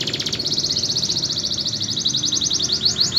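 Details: Canary song made of a rapid, even trill of high repeated notes, sustained throughout and quickening into sharper sweeps at the end, low hum underneath.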